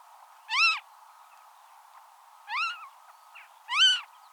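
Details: Western marsh harrier (Circus aeruginosus) in the wild: three separate, thin, bowed whistles, each briefly rising and falling, roughly one and a half seconds apart, against a low constant hiss.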